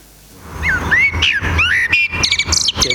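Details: Eurasian blackbird singing at dawn in the Real Jardín Botánico: mellow fluted whistles sliding up and down, then a burst of high, squeaky twittering notes, with a soft low rumble beneath.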